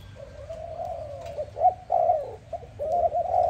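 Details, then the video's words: Morning dove call opening with a long, even, low note, then breaking into quick pulsed coos that grow louder toward the end. "Dove lovely sound -morning sound of dove"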